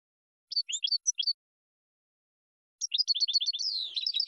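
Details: European goldfinch maestro song, a recording for training birds to learn song: a short burst of bright twittered notes, then a pause of about 1.5 seconds, then a denser, rapid, rattling trill that runs into buzzy, slurred phrases.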